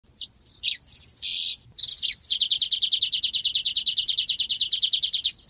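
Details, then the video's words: Golden-headed weaver (manyar) in full song: squeaky, slurred high whistles, then a long dry chattering trill of about eight rapid notes per second. "SUARA BURUNG MANYAR GACOR"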